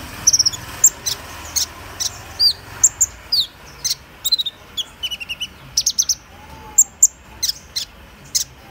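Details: A Van Hasselt's sunbird sings scattered high, thin notes: brief ticks, tiny trills and slurred whistles, irregularly spaced and somewhat faint over low background hiss.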